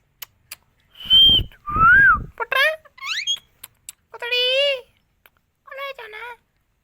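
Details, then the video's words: Green parrot in India, said to talk Hindi phrases such as mithu, mixes a high whistle and a falling whistle with quick rising chirps and nasal, speech-like wavering syllables, each separated by short pauses. "India Parrots sounds green parrots talking miya Mithu Hindi"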